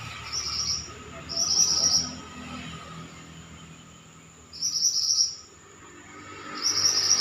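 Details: Pied bushchat singing energetically, short bright buzzy high-pitched phrases of about half a second, repeated at irregular gaps of one to three seconds over a low steady hum.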